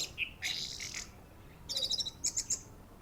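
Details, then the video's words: Short, high trills and buzzy chirped notes from an orange-headed thrush at a contest ring, in a few brief bursts with small gaps between them. "Anis merah ring matroji mlg, teler mental"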